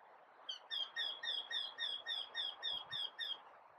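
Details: From a treetop, a Eurasian wryneck sings a run of about eleven evenly spaced, plaintive nasal notes, each slightly upslurred, delivered around four per second over a soft background hiss.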